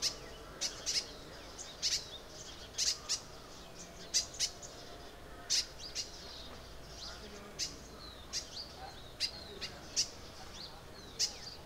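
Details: Crimson sunbird (Aethopyga siparaja) in Arunachal Pradesh giving sharp, very high, thin chips, singly or in quick pairs, roughly one to two per second, over faint background twittering; call.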